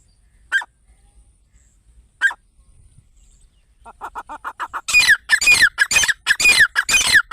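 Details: A grey francolin gives two isolated harsh notes, then a fast run of loud, ringing, grating calls building into a rapid chattering series of roughly two per second. The call is used as a partridge hunting lure.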